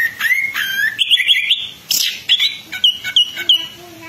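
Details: Orange-headed thrush (Geokichla citrina) song, used as a lure song for the species: a fast, varied run of clear whistled phrases with sliding and trilled notes tumbling one after another, separated by brief pauses.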